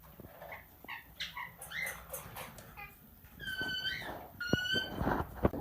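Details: Tamed plum-headed parakeet known as a talking parrot, chattering with short rising chirps, then drawn-out clear whistled notes with bright overtones, mixed with clicks and room noise.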